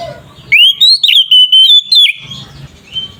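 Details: Oriental magpie-robin giving a single agitated 'ngeplong' phrase, used as a lure for other magpie-robins: a rising whistle leading into about six evenly spaced level whistled pulses, with faint low hum before and after.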